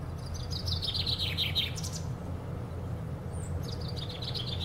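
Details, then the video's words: A common chaffinch singing in a tree at Powerscourt Gardens gives a bright descending run of notes that speeds into a flourish, then starts again, over a steady low rumble of wind or distant traffic. "Bird singing in a tree"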